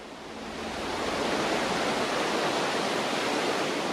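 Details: Steady, loud rushing of water, like a waterfall or stream, fills the recording, with no animal voice standing out.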